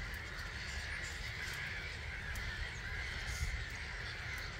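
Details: Some 250,000 starlings leave their roost at 05:45 in March at Gibraltar Point NNR; a thick, even roar of overlapping chirps and squeaks from the huge flock, with low rumbling wind.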